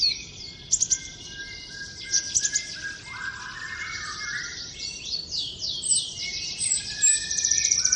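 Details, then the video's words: Wild common iora in trotol song: dense, high chattering twitters overlaid with short descending whistled slurs and brief sharp rattles, continuous throughout. "Konin trotol gacor"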